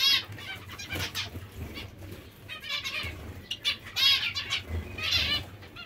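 Zebra finches give harsh, raspy, high-pitched begging calls in rapid bursts, several birds overlapping, over a low steady hum.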